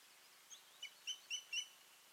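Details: Osprey at a nest in Finland on 14 June 2019, a pair present after a failed breeding season, giving a quick run of four or five high, thin whistled chirps growing louder over about a second, over faint hiss.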